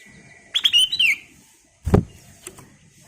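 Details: Golden-coloured sooty-headed bulbul singing briskly as a prompting lure: a quick sequence of clear, bubbling whistled notes lasting under a second, followed by a sharp knock and quiet ticks.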